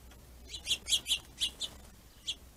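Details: Finches squabbling at a plentiful food source, territorial aggression; a quick run of five or six sharp high chirps, then a pause and one last chirp.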